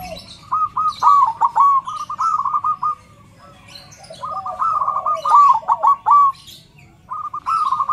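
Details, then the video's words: Big-voiced zebra dove, played to prompt other zebra doves to sing, gives three phrases of quick stuttering coo notes that run into rolling trills, separated by short pauses, with faint chirps from other birds in the background. "Perkutut suara besar PULEN"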